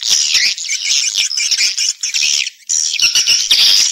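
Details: Stereo recording of swiftlet calling and roosting sounds: very high, harsh twittering in two long bursts separated by a short pause, dotted with thin whistled notes.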